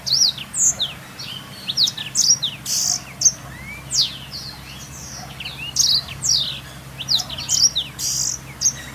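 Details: Energetic black-throated canary song as lure or master for canaries, with high sweeping whistles, buzzy bursts and sharp chirps tumbling in quick sequences over nine seconds against a faint low drone.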